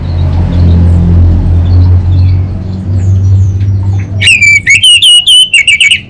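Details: Anis bata orange-headed thrush bursting into kabel konslet song after a quiet hum: fast stuttering whistled notes run into a wavering, slightly descending warble.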